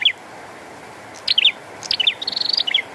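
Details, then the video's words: Bar-winged prinia in rain, a lone chip, a pause, then a brisk run of downslurred notes ending in a long rattling trill over continuous rain hiss. "Burung Prenjak Gacor & Air Hujan"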